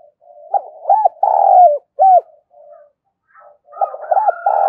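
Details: Spotted dove giving rapid calls meant to stimulate other doves: loud, low cooing phrases with arched, bouncing notes, a brief pause, then another coo series resuming near the end.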